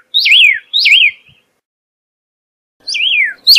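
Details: Pyrrhuloxia, whose female lays three to four greyish-white eggs incubated for 14 days, gives wavy, down-slurred whistles: two in quick succession, a long pause, then two more.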